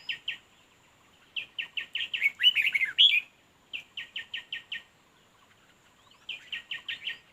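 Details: Red-whiskered bulbul at a fight trap, giving runs of five or six crisp chirps separated by pauses, with a louder, tangled warbling burst in the middle.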